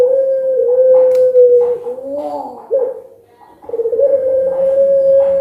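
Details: Puter pelung collared dove, a competition cooing style used as a lure. A long steady coo bends upward and wavers, a short pause follows, then another sustained even coo starts.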